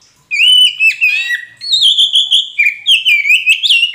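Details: Oriental magpie-robin of the poci type, a caged bird, singing as a lure to prompt a silent bird to answer: a rapid run of clear, varied whistled notes, sliding and warbling, with quick chirps in the second half.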